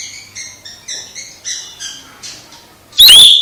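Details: Oriental magpie-robin song used to rouse another, silent magpie-robin: soft, evenly spaced double-toned chirps repeated about twice a second, then a sudden loud, harsh whistled burst.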